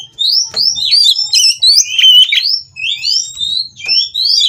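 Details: Captive oriental magpie-robins at a breeding farm in Kroya, Indonesia, during mating, their song meant to provoke rivals into singing: rapid, varied whistled phrases with rising and falling sweeps and sharp chirps, almost continuous, with brief pauses and faint low knocks.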